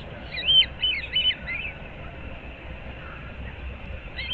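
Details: Nesting osprey pair in Moorings Park, Naples, Florida, 15 April 2024 at dawn: three or four high, slurred whistled chirps in quick succession, then quiet background hiss.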